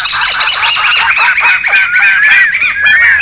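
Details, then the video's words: Wild laughingthrushes calling noisily together, a recording meant for luring and tutoring birds: a dense chorus of overlapping warbled whistles and squawky notes, with rising and falling slurred phrases running without pause. "SUARA PIKAT DAN MASTERAN SEMUA BURUNG POKSAY RIBUT ALAM LIAR"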